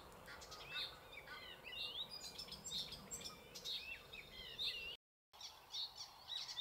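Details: Icterine warbler in a thicket in the Alblasserwaard, Netherlands, sings a fast, varied run of whistled, twisting and chattering notes with no set pattern, over a steady outdoor hiss.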